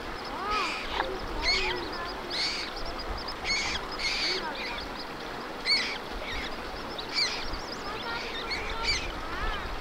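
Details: Common moorhen mother feeding her fluffy chicks on water in Germany; short bursts of bright, scratchy notes come every second or so, mixed with thin rising and falling whistled squeaks over a steady background hiss.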